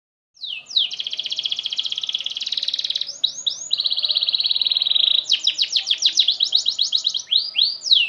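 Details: Canary singing continuously: high, rapid buzzing trills held for about two seconds each, shifting into fast sweeping notes repeated several times per second, with no pauses for eight seconds.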